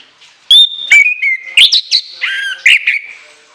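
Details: Orange-headed thrush delivering a piercing run of clear whistles, a high steady note dropping to lower slurred tones, mixed with harsh chipping notes in quick succession.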